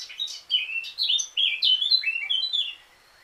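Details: Eurasian blackcap pouring out loud, fluty phrases, each a quick series of descending whistles repeated several times a second, fading at the end.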